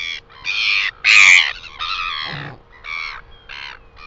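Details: Northern royal albatross in New Zealand, recorded 12 August 2020, giving a series of loud, harsh, braying bursts, each about half a second long, with a steady low hum underneath.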